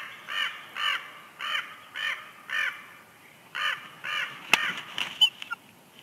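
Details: Bald eagle pair at their nest at Big Bear Lake, California, in March during incubation changeover, exchanging calls: about nine harsh, stacked notes repeated roughly every half second, then a few sharp knocks and clicks near the end.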